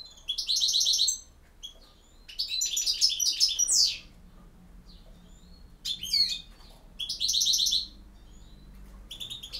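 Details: European goldfinch in campero song style: bursts of bright, rapid tinkling twitters and buzzy trills, each lasting one to two seconds, with short pauses and a faint low hum beneath.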